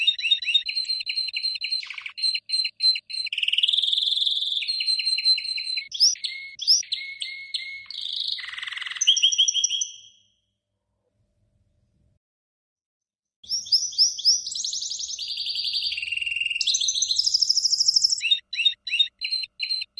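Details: A goldfinch × canary mule with 90% canary colouring sings a fast, bright medley of tinkling notes, trills and buzzy phrases.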